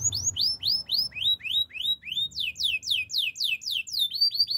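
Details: Canary song made of rapid, evenly repeated upward-slurred whistles, about four per second, shifting partway through to a higher, steeper series of sweeping notes.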